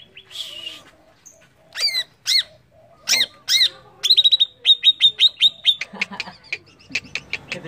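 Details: Greater green leafbird song used as a provoking lure to agitate other birds: sharp arched whistles and chips, then a fast run of bright repeated notes and quick trills closing with rapid clipped chirps.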